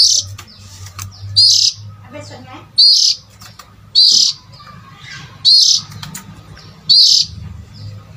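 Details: Oriental magpie-robin call used to lure adult birds: loud, short whistled notes with a rising slur, repeated roughly every 1.4 seconds over a steady low hum.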